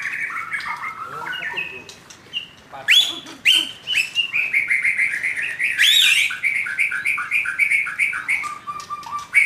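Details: Young wild white-rumped shama in a loud, varied song: quick whistled phrases, chattering runs of bright notes and a few harsh bursts, continuing throughout with brief pauses.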